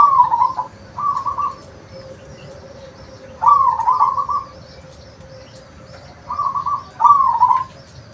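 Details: Local zebra dove in its natural voice, a recording suited as a lure: a clear, burry cooing phrase at mid pitch comes four times at uneven gaps, with faint background hiss.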